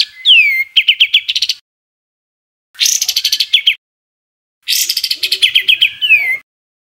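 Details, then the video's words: Three separate bursts of harsh, rapid bird notes in the 'tembakan kasar' style used to tutor cage birds: a downslurred whistle opening into chattering trills, each phrase about a second long, with silence between. "Tembakan Kasar Masteran Kompilasi Mewah Untuk Semua Jenis Burung Cucak ijo, Murai batu"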